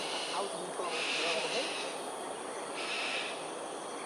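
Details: Two long, coarse screams from cockatoos performing an aerial display at Sungei Ulu Pandan, Singapore, 7.43am on 13 January 2022, separated by nearly two seconds, with faint chirps and steady ambient noise beneath.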